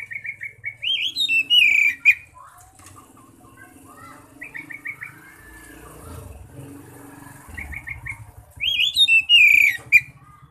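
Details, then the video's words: Oriental magpie-robin (kacer) singing in loud 'ngeplong' style, played as a lure to call other magpie-robins; bursts of rapid repeated whistled notes and sweeping bright trills open and close, with quieter scattered chatter and a low hum between. "pancingan Kacer bikin gacor"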